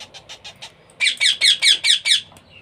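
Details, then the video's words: Young parrot during hand-feeding: a few soft clicking squawks, then six loud, harsh, evenly spaced begging calls. "#baby #parrot #hand #feeding"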